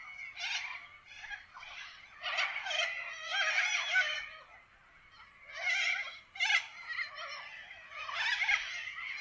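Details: Chorus of wild corella parrots in an Australian forest, continuous overlapping harsh squawks and screeches that swell and fade in waves.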